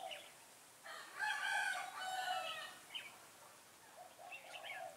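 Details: Red-whiskered bulbul used as a decoy while trapping, 13 August 2018; a loud burst of rich, harmonic warbled phrases follows brief chirps, with scattered short notes and a man speaking nearby.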